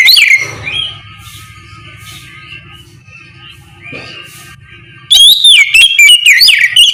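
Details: Oriental magpie-robin in the morning singing in ngeplong style to prompt other magpie-robins to answer; faint distant whistles over low hum, then from five seconds loud, rich whistled phrases with sharp rising and falling notes, rapidly repeated.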